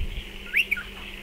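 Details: A single striated pardalote call near nesting burrows dug into a dry stone wall: a quick rising whistled note followed by a shorter, lower note, against a steady low hum.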